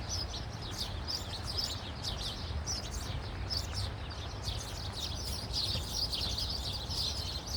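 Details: Birds chirping in Khalifa City: a busy chorus of quick, high twittering notes throughout, several voices overlapping, with a constant low rumble of background noise underneath.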